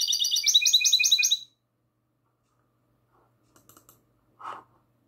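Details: Goldfinch hybrid in classic song, night recording from 22 March 2020: about a second of rapid high trilling chirps, then silence broken by faint clicks and one dull low knock.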